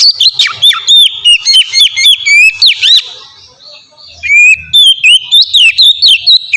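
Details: Singing Oriental magpie-robin, a lure for other magpie-robins: quick sequence of slurred, swooping whistles and high chips for three seconds, a brief quiet spell, then the varied phrases start again at the same fast pace.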